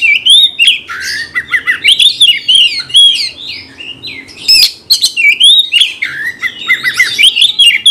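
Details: Vigorous Oriental magpie-robin (kacer) song for stirring another kacer to fight. A dense, continuous stream of loud, varied whistles, upward and downward slurs and chattering notes runs for eight seconds with almost no gaps, and the background stays quiet.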